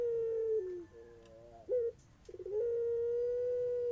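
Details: Pelung-type Barbary dove giving terasan-style cooing: a long level coo that dips lower, a wavering middle section, a short burst, then another sustained, steady, humming coo held for over a second, with a quiet background.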